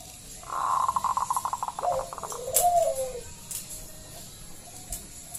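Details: Loud song of a local zebra dove, played to coax other doves into singing, opening with a quick run of staccato clicking notes that slows, then a single gentle falling coo and faint background hiss.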